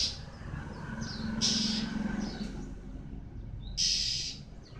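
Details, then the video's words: Male white-eye in moult season giving two separated bright, high, rapid warbling bursts with faint thin notes between them, against a constant low background hum. "Khuyên trống mùa thay lông"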